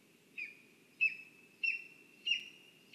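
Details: Lesser spotted eagle at its nest in a spruce in Zemgale, Latvia, on a live nest camera: short sharp yelping notes with a slight downward slur, about four in three seconds, over a steady high whine and low background rumble.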